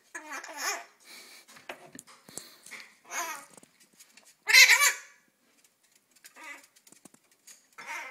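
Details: A female Hahn's macaw inside a kitchen pantry cupboard among glasses chatters in short, bright, babbling bursts with one harsh, raspy squawk midway. The sound echoes, which she seems to enjoy, while a person talks to her.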